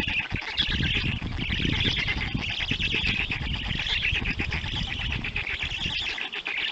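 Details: Black stork at a nest in Poland at feeding time, filmed by a nest camera on 31 May 2020 at 3:55 p.m.: dense, raspy, pulsing calls held almost without a break, with low rumbling noise underneath.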